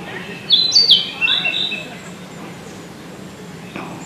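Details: Narcissus flycatcher, a male with an orange throat and yellow belly, singing in Tokyo, Japan, in June 2019: one brief, bright phrase of high whistles and quick slurred notes lasting about a second, then a soft outdoor hush.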